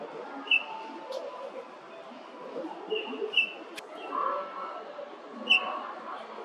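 Golden-breasted Starling giving brief, clear high whistled notes, spaced a second or more apart, over a steady low murmur that may include distant voices.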